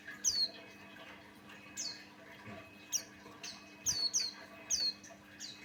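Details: Buxtoni white-eye male singing as a lure; scattered sharp, high downslurred chirps, a few louder paired notes near the end, against a fairly noisy background with a steady hum.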